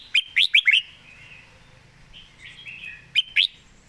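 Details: Caged red-whiskered bulbul singing: a quick burst of four bright, warbled rising notes, a softer fluting phrase in the middle, then two more sharp upslurred notes at the end.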